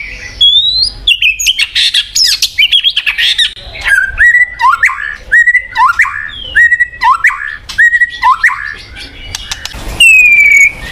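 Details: Murai batu, or white-rumped shama, singing to draw song from a silent bird. Rich rising and falling whistles come in phrases about a second apart, mixed with harsh chatter. A last long clear whistle slides gently downward.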